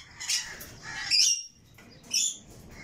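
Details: Red lory chicks uttering a few drawn-out, hoarse screeches, rising to a louder grating squawk midway and another near the end.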